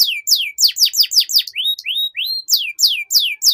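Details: Canary singing a master song for training young canaries to sing quickly: rapid series of steep downward-sweeping high notes, about three per second, broken midway by a few rising slurred whistles, then the fast descending notes resume.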